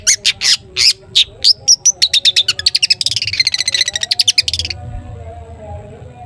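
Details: Long-tailed shrike singing "toet toet" to spur other shrikes into song: a run of evenly spaced sharp high notes that speeds into a fast rattling trill, then stops abruptly, leaving a low hum.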